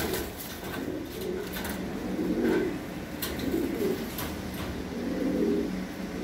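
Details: Soft, throaty cooing from fancy pigeon breeding pairs kept on a farm, rolling phrases rising and falling about every second, accompanied by light clicks and taps and a steady hum.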